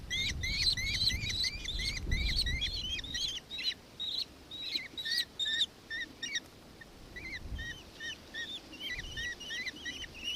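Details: Victoria, Australia, 4 December 2024: a nankeen kestrel's shrill repeated notes come thick and fast at first, then thin out into spaced, softer calls, with low rumbling noise underneath.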